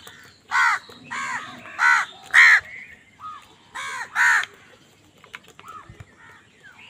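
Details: Crows fighting for food: loud harsh caws in two bursts, four strong caws then a soft one, a pause, then three more, each caw a short ragged note, with quieter calls trailing off.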